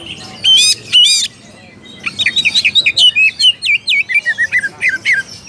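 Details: Oriental magpie-robin challenging a rival, opening with two harsh, buzzy rasps, then a quick, steady series of loud, sharp whistled notes that dip and rise, about four each second.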